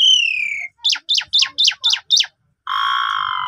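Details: Lure song of an Asian pied starling for a sulking bird, phone-recorded: a long falling whistle, six quick sharp downslurred chips, a pause, then a sustained harsh harmonic note.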